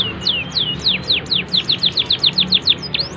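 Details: Canary delivering a cengkok phrase for training young birds: sliding high whistles that give way to a quick, regular series of short downward-sliding notes, finishing with a rising upslur.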